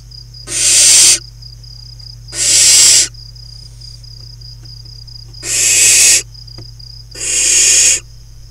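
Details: Wild barn owl nestlings in a crop-field nest box at Kibbutz Snir, northern Israel, 28 June 2020, playing; four harsh, airy screeching hisses spaced roughly every one to two seconds, with a continuous high-pitched insect tone.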